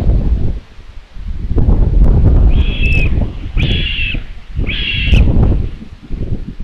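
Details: Common buzzard chicks at a nest in Tiszalök, Hungary, on 27 May 2022, begging while the mother brings prey for lunch; three drawn-out, harmonic wheezing calls after two seconds over loud low rumbling and rustling.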